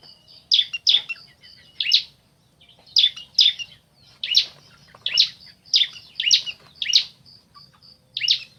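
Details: Male and female bar-winged prinia calling in answer to each other, loud sharp chips singly or in pairs, spaced roughly every half second, with a faint thin high whistle running underneath.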